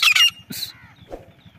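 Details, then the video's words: Female grey francolin (desi teetar) calling: two loud, harsh, squawking bursts in quick succession, then a fainter, lower, drawn-out harmonic note and a short low croak, with a faint steady low hum underneath. "Desi Teetar madi ki awaz"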